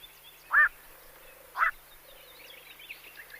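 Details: Black-crowned night heron giving two short, harsh croaking calls about a second apart, each a brief low-pitched bark, over a faint background of distant birds.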